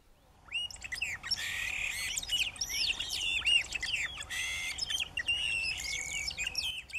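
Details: A flock of about 40 Yellow-rumped Marshbirds (Pseudoleistes guirahuro), a swamp-dwelling species, passes in rural southern Mato Grosso do Sul, Brazil, giving many overlapping chattering, squeaky and whistled calls that tumble over one another without pause, bright and high-pitched.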